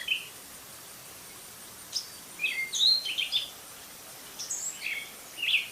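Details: Gray catbird singing a jumbled run of short squeaky and chirpy notes, some rising and some falling, delivered in loose clusters with brief pauses between them.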